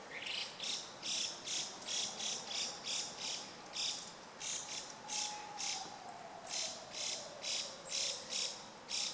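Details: A Chinese hwamei in suburban Hachioji on 14 April 2013 repeats a bright, humorous chirping note about twice a second in a steady run, with a faint low sliding hum in the background.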